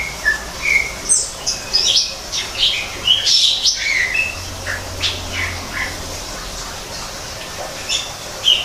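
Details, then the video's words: Captive greater green leafbird in an artificial forest aviary: a lively run of sweet whistles, slurred notes and high chips, densest mid-phrase, then sparser single notes toward the end. "kicau cucak ijo di alam buatan"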